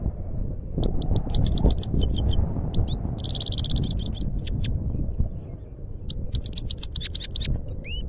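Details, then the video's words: A Himalayan goldfinch in Parachinar sings bright, tinkling twitters and quick buzzy trills in short bursts, over a steady low rumble of background noise. "goldfinch singing"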